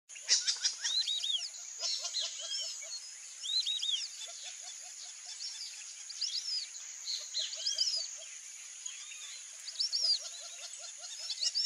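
A flock of white-faced whistling ducks gives clear, high whistles in quick overlapping bursts, over a steady insect hum and soft lower chattering notes.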